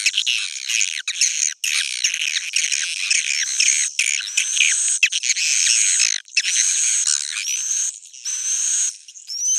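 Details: Swiftlets giving a roosting call (suara inap) used to lure them to roost: dense, overlapping high twittering chirps and buzzy rattles in long bursts, broken by brief silent gaps.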